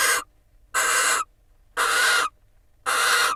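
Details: Pair of barn owls at an Israeli nest-box camera, mutual preening as the female incubates eggs laid in early March; four raspy hissing screeches, each about half a second, spaced roughly one second apart.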